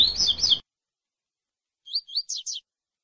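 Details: Double-collared seedeater singing the tui tui song style, used to prepare young brown birds and train them for contests: a brief burst of slurred high notes over low rumble, a pause, then a clean phrase of four rising whistled notes.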